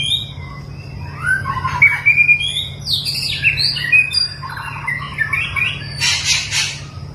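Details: During mental training, a long-tailed white-rumped shama delivers fast, varied whistles, trills and harsh chattering notes ending in a buzzy burst, with a constant low hum behind.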